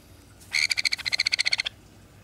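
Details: Captive sun conure with a genetic mutation that leaves it without down, primary flight feathers or head feathers, while another sun conure of the same age sits nearby. Gives a harsh, rapidly pulsed chatter lasting about a second, roughly fourteen quick buzzy beats.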